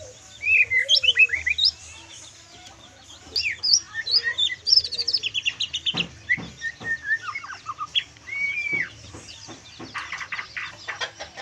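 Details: White-rumped shama past its spotted juvenile stage delivering full kriwikan song: long bursts of rich, rapidly varied twittering, chattering and slurred whistles, broken by brief pauses, with some harsh scratchy notes near the end.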